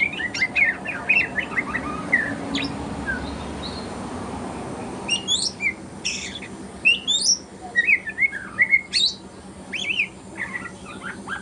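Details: Juvenile white-rumped shama (murai batu trotol) rehearsing song in the morning: quiet warbles early on, then sharper whistled and chattering bursts in irregular groups, over a faint droning hum.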